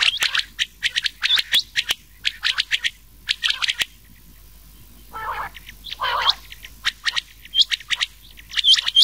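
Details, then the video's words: Rain quail call mixed with an old quail's voice, used as a night-time hunting lure in summer: rapid bursts of sharp, high clicking notes in groups of two to four, with two lower rasping notes midway. "Changah Ki Awaz / Rain Quail"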